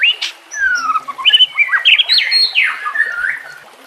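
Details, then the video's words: White-rumped shama song from a murai batu training recording with nature and water sounds: a short run of clear descending whistles and slurred warbles above a steady hiss of running water. "Terapi Murai Malas Bunyi Dengan Pancingan Mewah Isian Terbaik"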